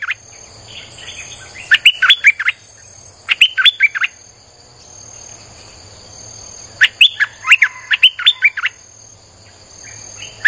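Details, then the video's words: Non-stop Streak-eared bulbul song used to lure wild birds: dense runs of quick warbled, bubbly chirps in several clusters, pauses between, over steady high tones. "เสียงนกดอกแตงEp.159จ้าวขุนศึก สับดอกแบบไม่พัก!!ใช้เปิดล่อนกป่า Suara pikat merbah lekir"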